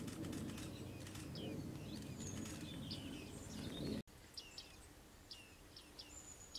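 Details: Bearded reedlings calling: thin, high, down-slurred pinging notes repeated in loose series, over steady low rumbling background noise that drops away midway.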